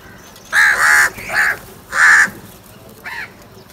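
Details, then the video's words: Crow calling with loud harsh caws, two long ones then a shorter one, followed by a fainter final caw after a pause. "Crow sounds | کوے کی آواز"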